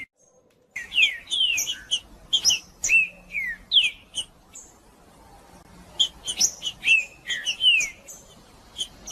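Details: Green-winged saltator male singing vigorously in the macheando style, meant to warm up other birds: a brief silence, then bursts of bright slurred whistles mixed with crisp high ticks, in phrases separated by short pauses.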